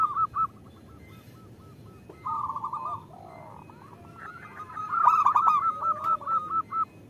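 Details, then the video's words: Local female zebra dove calling the male, used to prompt males into singing. Evenly spaced short coo notes open the clip, then a longer warbled phrase, and finally a loud run of quick staccato coos about three per second. "Perkutut lokal gacor Terpancing Bunyi dengan Suara Perkutut Betina Memanggil Jantan"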